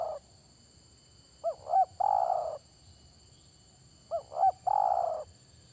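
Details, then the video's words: Spotted dove lure call for bird trapping: a pair of short bent coos leading into a long rough rolling coo, given twice roughly three seconds apart, background otherwise still. "mikat burung tekukur"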